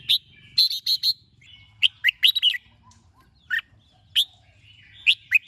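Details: A red-whiskered bulbul gives morning song of bright, bubbly whistled phrases in short bursts of two to four notes, with pauses between, over a faint low hum.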